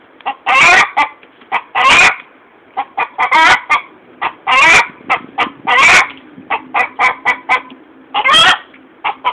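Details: Hen calling after laying an egg: loud, harsh squawks and clucks in irregular bursts, several short notes followed by a longer drawn-out cry, repeated across the whole stretch.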